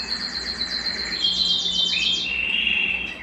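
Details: High rapid trill from a Belgian canary, sung to stimulate males and bring females into breeding condition, sliding into a steady whistled note, then a lower continuous warbling passage.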